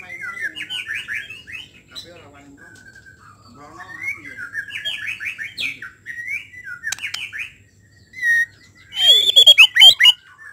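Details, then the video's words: White-rumped shama singing a song used to provoke other shamas into full song: warbled, rapidly modulated phrases and whistled notes, ending in loud harsh chattering bursts, with a low background hum. "TERNYATA SUARA INI DPT MEMANCING MURAI BATU CEPAT BONGKAR ISIAN KURANG NGOTOT KURANG EMOSI"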